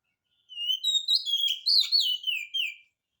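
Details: Oriental magpie-robin in full song, used as a lure to make a reluctant magpie-robin answer: a run of clear, high, sliding whistles about two and a half seconds long, rising and falling, with thin upper notes and a quiet background.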